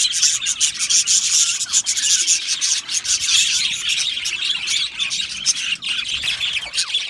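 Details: Budgerigars chattering in an aviary, a dense, grainy blanket of high chirps with fluttering bursts and small dips in loudness.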